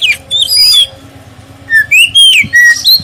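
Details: Black-breasted oriental magpie-robin, a clear lure song to prompt other magpie-robins to sing: short whistled and harsher squawky notes open the clip, then after a gap comes a fast string of sliding whistles.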